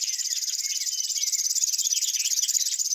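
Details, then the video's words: Grass warbler song heard as a steady, very high, rapidly pulsed reel running unbroken, with a scatter of fainter quick chirps lower down. "Grass warblers. Birds singing. Unusual bird chirps"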